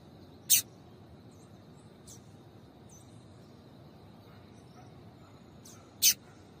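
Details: Female double-collared seedeater calls meant to excite males to sing. Two short, high chips come about five and a half seconds apart, with faint softer notes between them over steady hum.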